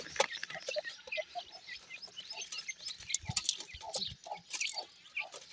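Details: Feeding grey francolin chicks utter soft, high chirps that slide downward, spaced irregularly between bright clicks and pecking taps.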